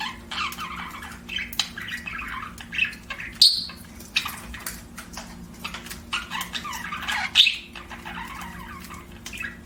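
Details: Budgie chirping softly, scattered squeaks and clicks with two sharp bright chirps standing out, over a steady hum and faint rustling.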